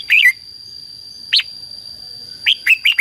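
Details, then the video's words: Red-whiskered bulbul fighting song used for training and exciting decoy birds: a brisk warbled phrase, a lone sharp note at mid-clip, then a fresh series of quick chirpy whistles, all above a steady faint high hum. "CHÀO MÀO HÓT GỌI BỔI CHÉ CĂNG ĐÉT QUÁ HAY - KÍCH CHIM NHANH CĂNG LỬA"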